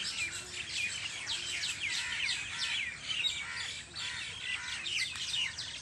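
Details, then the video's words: Evening birdsong on a farm: a crowded flock of birds chirping and twittering at once, a busy wash of sharp, descending high notes with occasional brief whistles. "Birds singing in my farm at evning شام کے وقت پرندوں کی چہچہاٹ میرے فارم پے"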